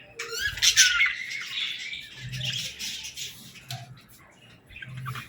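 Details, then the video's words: Baby budgerigars playing and talking indoors, giving a busy, noisy stream of overlapping scratchy chirps and squawks with a few clear whistled notes, all fairly quiet with low background rumble. "Baby Budgies Playing & Talking 🐣🎶 | Fun Chirping Sounds"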